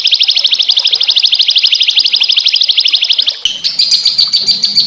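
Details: Rapid, evenly pulsed high trill from small songbirds, part of a harsh masteran sequence meant to provoke white-rumped shama. It runs over three seconds, then breaks into a higher, thinner warble with faint low rumbling behind.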